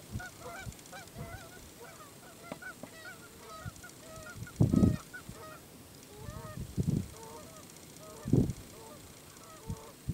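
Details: Canada goose at Kellys Slough National Wildlife Refuge, North Dakota, 6 April 2013, voicing disgust at an approaching person: busy stream of short, nasal, two-pitched honks throughout, broken by several heavy low rumbling bursts.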